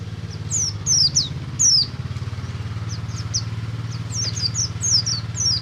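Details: Buxtomi oriental white-eye in ngalas song, played to prompt other white-eyes to start singing: scattered high, sharp, descending whistled notes in short clusters over a steady low engine-like drone.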